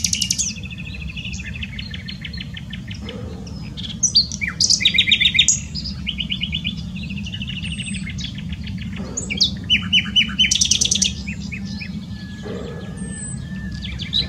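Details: Common nightingale singing in Dohr, Eifel, Germany: varied bright phrases of rapid repeated chirps and whistled notes, with loud buzzy trills around four to five seconds and again near ten seconds, over a low steady rumble.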